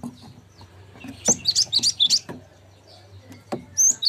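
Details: Cinereous tit song meant for tutoring caged songbirds: a cluster of five or six high, sliding whistled notes in quick succession, broken by sharp clicks and knocks, with another short note burst at the end.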